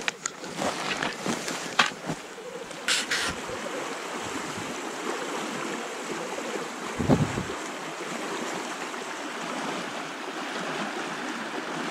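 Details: Steady rushing water and wind with a few knocks and bumps, no animal voice heard. A low thud comes near the middle, and the broad wash of moving water fills the rest.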